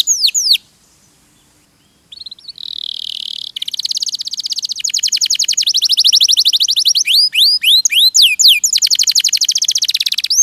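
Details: Canary song used as a masteran tutoring recording. Sharp downslurred whistles and a pause give way to a buzzy phrase and a long rapid rattling trill, broken by swooping whistled notes.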